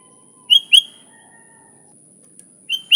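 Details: Sooty-headed bulbul recorded for luring other bulbuls: a pair of bright, sharp whistled notes, a long pause with a faint low tone, then another quick pair of whistles.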